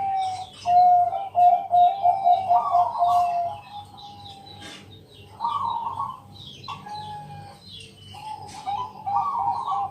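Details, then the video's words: Zebra dove of Bangkok stock singing at night as a lure for other doves: rolling coo phrases with quick stuttered notes, repeated in short bouts, over steady low hum and scattered chirps from other birds. "Pancingan malam hari Perkutut Bangkok..Suara Penghilang Stress Burung Perkutut"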